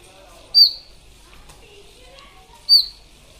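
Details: Indian robin in Ranthambore National Park, Sawai Madhopur district, Rajasthan: two brief sharp high notes, about two seconds apart, with soft faint chirps between them in a quiet setting.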